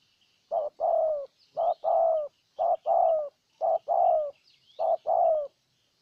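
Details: Spotted dove decoy in Ninh Thuận luring a wild one; five evenly spaced coo pairs, a brief note then a longer falling coo, with faint high twittering of other birds behind.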